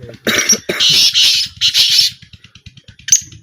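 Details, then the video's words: A black francolin, recorded at a calling trial, delivers a harsh, scratchy phrase of several loud grating notes. A faint lower voice-like sound sits at the start, over a constant low pulsing hum. "A Small Trial Of Black Francolin"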